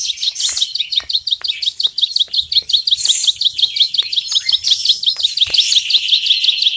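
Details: Bar-winged prinia known as ciblek sawah, repeating a crisp high chip again and again in quick regular succession, ngebren style, with occasional higher hissing bursts.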